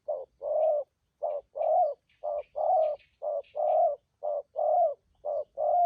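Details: Cooing of wild-caught spotted doves, Vietnamese 'thúc gù' style, valued for good voice. Low mellow notes alternate short and long, close to one per second and steady, with faint high twittering behind.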